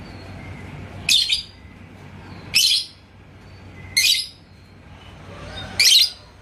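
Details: Indonesian lovebird, called labet koneng (yellow), answering a rival bird it was provoked by. Four harsh, high bursts of chirping, each about a third of a second long, spaced one to two seconds apart.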